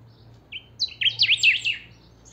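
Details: Kept saffron finch (chiviro) singing in the pica style, shared so owners can rouse their own birds to sing: a thin high note, then a fast run of sharp zigzag notes that climb and swell, ending in a bright burst.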